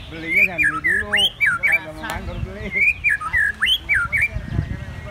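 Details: White-rumped shama singing in a song contest: loud, varied whistled phrases with quick rising and falling slurs, repeated in two similar bursts, with faint murmuring and clatter in the background.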